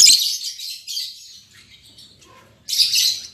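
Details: Newly matched lovebirds, albino MM male and lutino MM female, with a rasping, high chatter that fades into a quiet stretch before a fresh loud burst of shrill notes.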